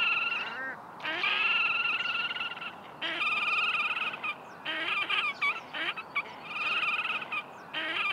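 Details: Red-necked grebes, a breeding pair in spring, mating and feeding striped chicks: loud nasal braying calls in repeated bursts of stacked notes, each burst lasting about a second and separated by short pauses.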